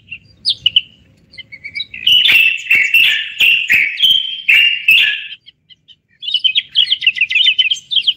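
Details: During a live broadcast a Moroccan common bulbul gives scattered chirps, then a loud flowing warble broken by clicks, a brief silence, and a lively high twittering phrase.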